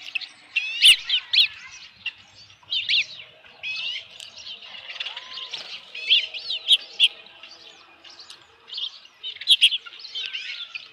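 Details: Osprey nest on a ranch, evening of 15 July 2018, with a headless fish delivered: bursts of high, piping chirps in quick groups separated by short gaps, with a faint lower whistle partway through.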